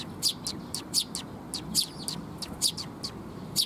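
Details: Sparrows coming to be fed, recorded 19 June 2021 near a bridge (水上橋): sharp high chirps repeated at uneven intervals, about ten in under four seconds, over a low steady background rumble.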